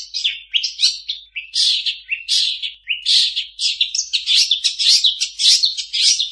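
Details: Long-tailed shrike in continuous mimicking song: a fast, unbroken stream of scratchy chirps, whistles and rising slurs, with a faint low hum underneath.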